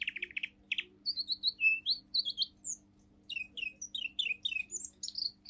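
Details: Seven-month-old male Russian singing canary, pure-bred singing line, delivering its forest tune: a few quick buzzy pulses, then high whistles, a short pause, and a series of quick downward-sweeping notes.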